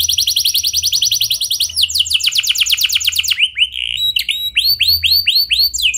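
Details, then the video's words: Canary pouring out a clear rolling song used as a singing lure: rapid high trills in several tours, changing to slower, rounded swept notes repeated about five times a second. "Suara Kenari Gacor Ngeroll Jernih"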